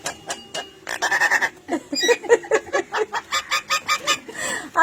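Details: A pet myna mimics Malayalam human speech in raspy, voice-like phrases, then gives a quick run of rhythmic, laugh-like bursts when prompted to laugh by a person speaking nearby.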